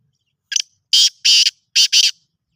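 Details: A captive Sindhi black francolin (kala teetar), kept for sale, gives a harsh, grating phrase: one short note, then two pairs of loud rasping notes, over about two seconds. No other sounds.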